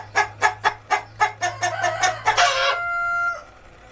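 A rooster gives about nine quick, harsh clucking notes, four per second, then a brief drawn-out, steady crowing note at the end.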